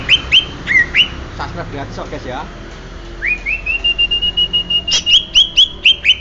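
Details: Banyuwangi greater green leafbird giving sharp whistled chips, interrupted by a man speaking, then a long upward-sliding whistle and a steady series of clipped, high chirps about five per second.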